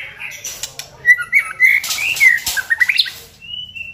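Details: Singing white-rumped shama, played as a lure to excite other birds: bright sliding whistles and quick chirps mixed with loud clicking and rustling noises, ending on a thin high whistle.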